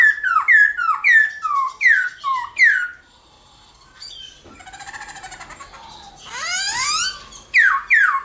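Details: Black-throated laughingthrush morning song used to spur other caged birds into singing: a run of loud descending whistled notes about twice a second, then quieter chatter and a harsh rasping sweep before more whistles.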